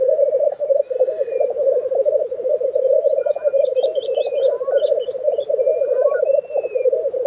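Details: Black grouse lek, Tiveden, Sweden, April 2023: a constant low bubbling drone underlies a small bird's rapid, high, ticking series of notes, along with a few hissing calls and thin whistles.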